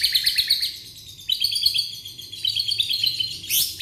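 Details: Young white-rumped shama from Indonesia, meant to get other shamas singing: a dense high-pitched jangling chatter of rapid notes, continuous with a sharp rising note near the end.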